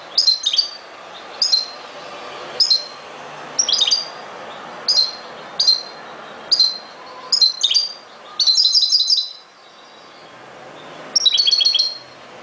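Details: European goldfinch (chardonneret) singing in a style called ghoroub: short bursts of tinkling, high twittering notes repeated roughly every second, followed by longer liquid trills, over a steady background hiss.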